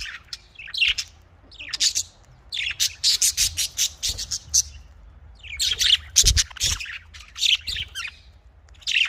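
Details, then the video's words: Caged budgerigars, known as Australian parrots, kept for breeding give rapid series of sharp high squawks and chirps, several notes per second in bursts separated by short gaps, over a low background hum. "Australian parrot voice|Australian parrot ki awaz"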